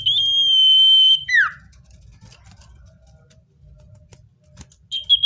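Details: Natural common iora song used to call in wild birds. One long, even, high whistle ends in a quick falling slur, followed by near quiet with a faint low hum and a brief note at the close.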